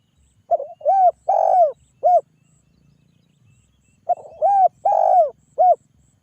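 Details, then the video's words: Spotted dove calling to get other doves to reply. Two phrases about four seconds apart, each a stuttered start followed by a deep, drawn-out coo between shorter ones. The coos are mellow and slightly falling. "TEKUKUR GACOR SUARA PANGGIL"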